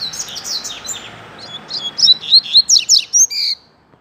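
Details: Rusty-collared seedeater song from a pair kept outdoors in the street, used as a tutor song for learning: soft scattered chirps, then a run of loud, sharp, clipped notes given about five per second.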